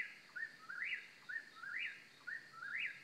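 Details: An Eastern Whip-poor-will in central North Carolina repeats its whistled whip-poor-will about once a second: a short note, then a rising and falling swoop. A steady high insect hum runs underneath.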